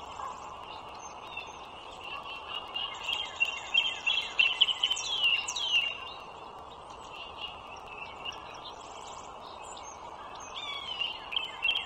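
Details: Bald eagles, wild, beside a Virginia toll road on a March 2023 morning: a loud mid-clip run of squeaky, stuttering high whistles tumbling downward, with a shorter burst near the end and steady traffic noise throughout.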